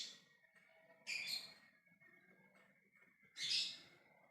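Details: Ngekek call of a lovebird trying to get others to answer: two loud screechy bursts about two and a half seconds apart, with a quieter shriek fading at the very start.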